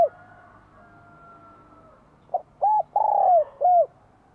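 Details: Spotted dove from Vietnam, a bell-voiced bird used to provoke wild doves, singing in spring 2023: after two quiet seconds, a short clipped note and then three mellow, hollow coos, the third longest and gently falling.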